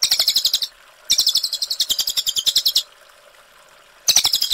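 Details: Cililin 'ngerol' song said to sound like AK-47 shots: a burst of rapid, high staccato notes, a longer run of nearly two seconds of quick even pulses, then a pause before another rattling burst begins.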